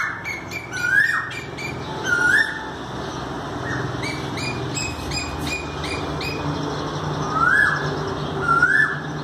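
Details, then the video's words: Asian koel calling on 5 May 2019, a series of rising whistled notes mixed with a busy chorus of sharp high chirps from other small birds, with low background rumble. "कोयल Cuckoo"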